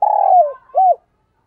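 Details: Spotted dove used as a decoy, calling wild doves in the morning: a long, low, slightly falling coo followed by a short arched coo, mellow and hollow, then silence.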